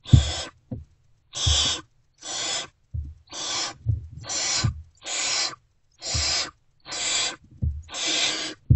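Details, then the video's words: Unfed great horned owl owlets inside a nest box at dawn, 3 March 2024, responding to a returning adult with rasping hissed shrieks roughly every 0.6 seconds, low bumps and scuffles between calls. "Owlets Still Not Fed. React to Return of #GreatHornedOwl."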